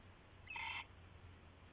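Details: Owl in the night hours of February 19, 2016, amid the taking of a rabbit; one scratchy call of about a third of a second, steady in pitch, against a low constant drone.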